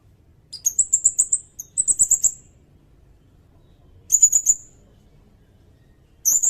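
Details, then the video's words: A sirindet sings in short bursts of very high, fast trilled notes, two close phrases, then another after a gap, and a fourth starting at the end; background is quiet apart from faint low rumble. "Suara burung sirindet buat masteran bagus juga buat pikat"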